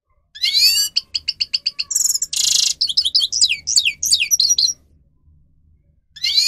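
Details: Grey-crowned goldfinch song for training birds: a rising whistle, then a run of quick repeated chirps, a loud rasping buzz and lively slurred twitters, fading to quiet before a new phrase begins.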